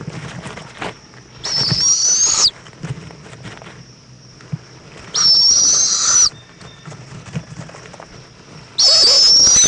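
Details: Owl nest in Indiantown, Florida, 7:20 pm on February 11, 2014, mother delivering a bug to the chick: three loud, raspy hiss-screeches, each about a second, spaced roughly three to four seconds apart.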